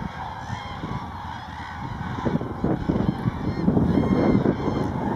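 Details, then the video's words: Common cranes (Grus grus) at Lake Hornborga (Hornborgasjön), Sweden, on 24 March 2012: a steady chorus of loud, rolling, trumpeting calls, many birds overlapping at a rapid pace. "Common Crane (Grus grus) Eurasian Crane Trana"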